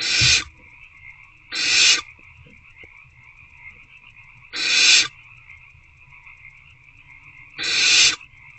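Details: Owlets in a nest box on the evening of 26 February 2024, hungry and working at a rodent, hiss harshly four times at uneven intervals of two to three seconds over a constant high-pitched hum.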